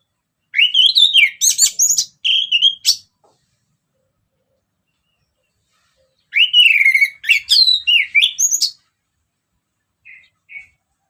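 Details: An orange-headed thrush sings two long, varied phrases of rising and falling whistles mixed with rapid trills, followed by two short faint notes. Sung in ngeplong style as a lure for other birds.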